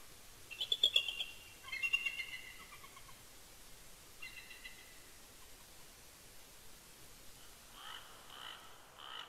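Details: A pair of bald eagles calls together at midnight from their nest at Big Bear Lake, California, on a windy late-November night. High, rapid chittering notes open the recording, softer squeaky phrases follow, and faint calls return near the end over a steady hiss.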